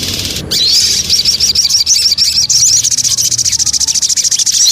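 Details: Javan cochoa lure song: dense, buzzy high warbling that shifts into a fast pulsing trill, with a faint low hum beneath.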